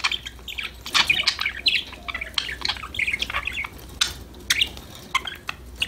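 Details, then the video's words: Budgerigars singing and talking to each other; a lively stream of scratchy warbles, chirps and short squawks, dense at first, then broken by brief pauses near the end. "Your #budgies will start chirping, talking, playing after listening these #parrot #bird sound"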